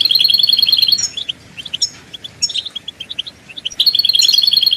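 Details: European goldfinch song for stimulating caged birds: a fast, even trill of bright repeated notes, a middle stretch of scattered chirps, then the rapid trill returning at the end, over steady hiss.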